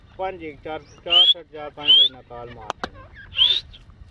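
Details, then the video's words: Fighter grey teetar, an Irani partridge, calling while playing in its own mood: stacked, nasal staccato notes broken by three high, upward-sliding whistles, with a sharp click near the end. "Fighter Teetar Calling Sound | Teetar ki Awaz | Teetar ki Voice Partridge Voice"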